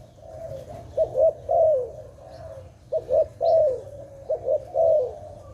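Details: Dove in a trapping context delivering repeated cooing phrases, each a pair of quick bubbling notes then a drawn-out falling coo, two phrases within about five seconds, low rumble beneath.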